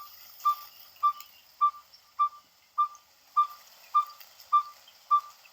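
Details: Yellow-fronted Tinkerbird song recorded in southern Africa: a string of nine identical, short, hollow 'tink' notes at a steady mid pitch, about two per second, over faint high insect hiss.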